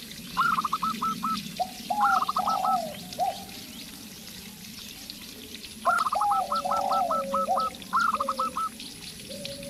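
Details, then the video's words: Zebra dove, a local perkutut in full voice, paired with a spotted dove (terkukur) to prompt it to call. Rapid runs of short high staccato notes come in several bursts, each followed by lower drawn-out gliding coos, with a constant low background hum. "Perkutut Lokal Gacor"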